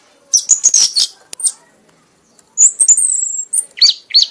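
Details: Red-whiskered bulbul, called an accomplished bird, singing heavily in a 'mabok' state until exhausted. Quick high chirps are followed by a short gap, then a long high whistled phrase and sharp dropping notes.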